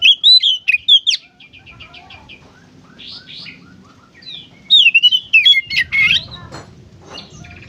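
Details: Oriental magpie-robin delivering gacor konslet song, used to stimulate other kacer into singing: loud slurred whistles, a run of quick clipped notes and soft rising chirps, then another outburst of piercing varied whistled phrases.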